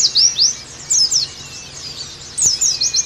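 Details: Sparse high notes from an Oriental white-eye: a few slurred rising and falling whistles separated by quiet gaps, ending with a short burst of chirps. The recording is meant to revive singing in pleci.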